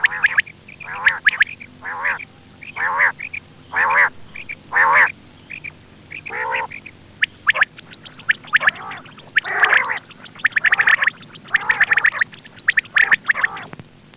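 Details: Quail sound played for hunting: a steady run of coarse, nasal bursts about once a second, later giving way to denser clusters of sharp high clicks and buzzy notes, with low hum underneath.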